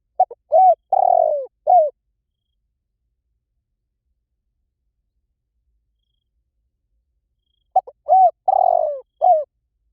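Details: Spotted dove giving its cooing phrase twice, about seven seconds apart, each a few quick clipped notes followed by longer mellow hooting coos, with nothing else audible between them.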